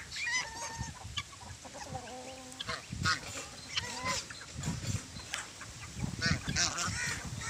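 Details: Adult geese and chicks call together: wavering harmonic honks and drawn-out nasal notes mix with thin, sharp high peeps. Low knocking and shuffling noise runs underneath.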